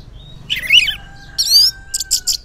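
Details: Morning song of an Orange-headed thrush, meant as a lure for silent males: a rich warbled phrase, a buzzy rising trill, then rapid scratchy notes over a faint steady hum.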